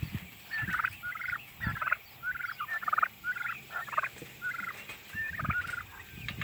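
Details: In the morning before breakfast, young Narragansett turkeys give short, bright, chirping yelps that rise and fall, several birds overlapping about once or twice a second, with soft thumps beneath.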